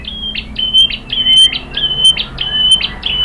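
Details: White-rumped shama song played to spur captive birds to sing: a steady series of about eight bright whistled notes, each a short sweep ending in a level tone, roughly three per second, with light background hum.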